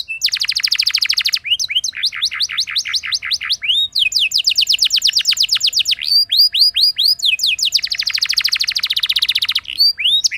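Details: Canary singing as a lure for other canaries, with alternating dense buzzing rolls and series of quick arched whistled notes, the rolling trills recurring through the passage.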